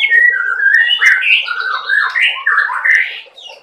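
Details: Juvenile speckled white-rumped shama delivering cerucuk filler phrases, a continuous rich warble of slurred whistles sliding up and down, loud and fluid throughout.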